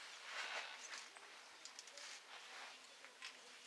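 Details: White-naped jays in a flock giving rough, broadband scolding calls, a strong burst early on followed by several shorter harsh notes spread through the rest.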